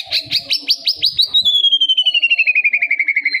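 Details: Young white-rumped shama: a quick run of repeated sharp notes melting into a steady descending rattle-like trill of fast pulses, loud and clean.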